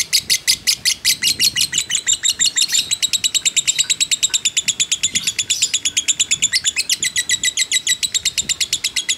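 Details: Lovebird of the fighter type, a caged bird kept as a training model, giving a long unbroken ngekek: rapid, harsh, buzzy chattering notes repeated about three per second, steady and sustained throughout.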